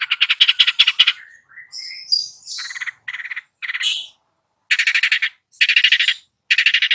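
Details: Master long-tailed shrike singing vigorously to teach two young birds; bursts of fast rattling notes alternate with brief rising whistles and scratchy chatter, separated by short pauses.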